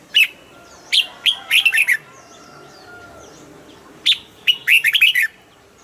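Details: Red-whiskered bulbul kept as a cage bird, singing double-style song: two short, lively phrases of sharp whistled and slurred notes, each phrase a burst of several quick notes, separated by about three seconds of quiet.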